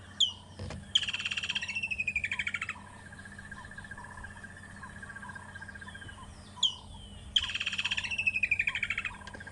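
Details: A woodland kingfisher, a common bird more often heard than seen, calls at sunset on a 26 November 2014 African safari drive: a sharp high note, then a long ringing trill sliding down in pitch. Other birds chirp faintly over a low engine hum.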